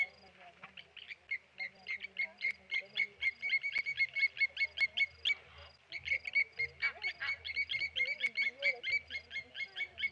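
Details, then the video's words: Blacksmith lapwings mobbing a Tawny eagle at the Okaukuejo Resort waterhole: quieter at first, then a rapid, continuous series of sharp metallic clinks, with several birds calling together over a low hum. "Tawny Eagle dive bombed by Blacksmith Lapwings"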